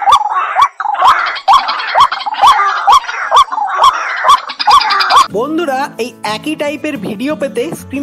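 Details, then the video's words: A White-breasted waterhen gives harsh, croaking notes repeated about twice a second for five seconds, then music with sustained wavering tones takes over. "ডাহুক পাখির ডাক | Dahuk Pakhir Dak | Waterhen Sound | Jal Murgi Awaaz | Waterhen Call"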